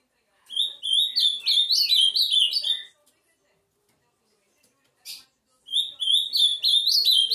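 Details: Two bursts of fast, chattering whistled phrases from an Ultramarine grosbeak, separated by a silent gap broken by one brief rustle-like sound.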